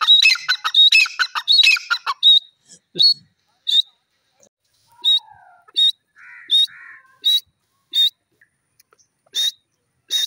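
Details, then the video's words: Grey francolin, a kept bird, opening with a dense burst of harsh calls, then single sharp whistled notes spaced about every half second, with a few softer low sounds between. "irani teeter ki awaz,the beautiful voice of my pheasant"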